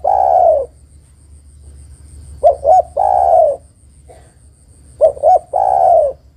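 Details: Female spotted dove calling to the male: low hollow coos, each phrase two short clipped notes and then a long drawn-out coo that falls slightly. Two phrases about three seconds apart follow a trailing coo at the start. The background is quiet.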